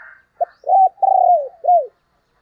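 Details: Spotted dove used as a decoy to lure other doves, giving a low cooing phrase: a short note, then a rising coo and two long, smooth, falling coos, after faint higher chirps at the start.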